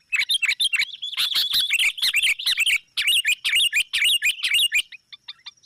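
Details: Sooty-headed bulbul lure calls meant to attract rivals: dense, loud bursts of bubbly, warbling chirps, fast and overlapping, running almost continuously for about five seconds before thinning to a few short notes.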